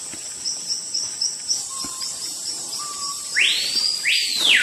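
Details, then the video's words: Screaming piha, known locally as capitão-do-mato, a forest bird said to call as an alarm when a large animal or person enters its territory: very loud, ringing whistles sweeping sharply upward then down, given twice, over steady high-pitched insect trilling. "Som do passáro capitão do mato"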